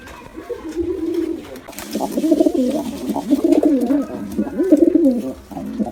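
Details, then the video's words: Male and female pigeons in an attacking bout: a soft opening coo, then loud, wavering, throaty phrases repeated roughly once a second. "Male & Female Pigeon Combo Attacks Sound"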